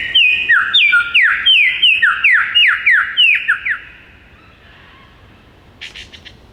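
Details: Singing male superb lyrebird on a log in the Dandenong Ranges, Victoria: a regular run of ringing two-part whistles, each stepping down in pitch, repeated about three times a second, then fading to quiet with a faint rasp.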